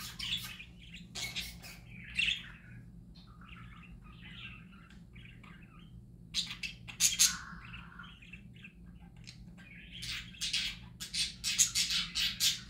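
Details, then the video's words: Parakeets singing happily, loud bright chirps and harsh clicking bursts alternating with quieter mumbled warbling, the chatter picking up strongly toward the end. "Parakeets Singing Happy Parakeets Parakeet Sounds"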